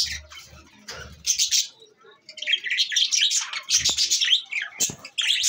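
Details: Budgerigars kept as pets, called beautiful Australian birds, tagged to Larkana, Sindh, giving a dense stream of high scratchy chirps, squeaks and warbled trills, with a few low thumps at the start.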